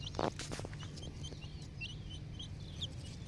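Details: Young poultry chicks, ten days old, giving scattered thin high peeps after a sharp knock at the start, over a steady low droning hum.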